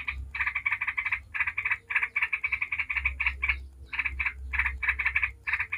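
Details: Yellow-vented bulbul giving rapid 'ngebren' chatter as a lure for other bulbuls to sing; fast bubbly notes run in bursts separated by short pauses, with a low rumbling hum underneath.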